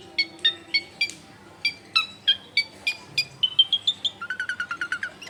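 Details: Long-tailed shrike song used as a lure for other shrikes, from a home in a populous area: a string of clear separate whistled notes at varied pitches, ending in a quick run of short repeated chirps.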